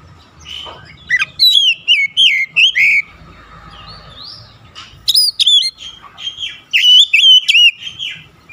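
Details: Singing Oriental magpie-robin (kacer): varied phrases of crisp whistled notes, downslurs and twittering, coming in two active spells with a softer murmuring gap between, over faint low rumble.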